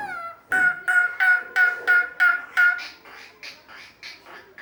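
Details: Asian pied starling, known for imitating other animals' sounds, uttering a series of about six loud, evenly spaced nasal notes, followed by softer, higher repeated notes.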